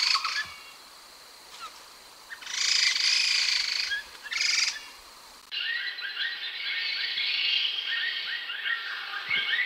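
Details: Grey-headed laughingthrush, also known locally as khướu đất or khướu chó. Loud bursts of rich, jumbled, warbling phrases stand out over a hissy background, followed by a steadier section of fast chattering notes after an abrupt change in the recording.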